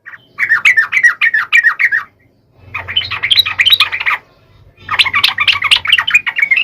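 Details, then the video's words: Sooty-headed bulbul song for prompting lazy birds to sing: three dense bursts of quick, rising and falling chirps, each about one and a half seconds, with a low hum beneath the middle one. "SUARA KICAU TRUCUK GACOR AMPUH BUAT PANCINGAN TRUCUK MALES"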